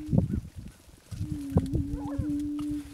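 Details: Attwater's prairie chicken, an endangered Greater Prairie Chicken subspecies from Texas, gives a low, hollow, sustained hooting tone lasting over a second, with deep thumps and short higher yelping notes around it.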